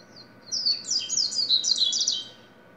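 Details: A double-collared seedeater delivers one rapid, lively phrase of about two seconds, high thin notes sliding and rippling up and down in quick succession, a faint hum underneath.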